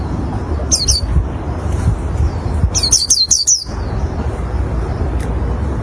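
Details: Used to lure other white-eyes, this oriental white-eye song comes as two short bursts of high, thin, falling notes: a pair first, then a tighter cluster of five, with a low background hum throughout.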